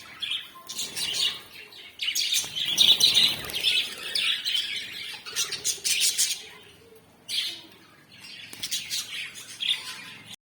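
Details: Chattering group of African lovebirds producing fast, high, squeaky chirps and squawks in repeated bursts, with brief quieter gaps before the excited chorus resumes.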